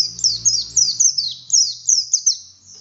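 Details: Buxtoni oriental white-eye, a bold singer used to trigger song in other white-eyes: a few seconds of quick high descending chirps over a faint low hum.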